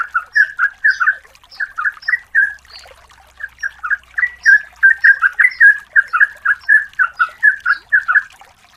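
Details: A female yellow-vented bulbul calling for the male, used to lure birds: an almost unbroken stream of rapid, liquid, gurgling chirps with one short break, clean and close with no background noise.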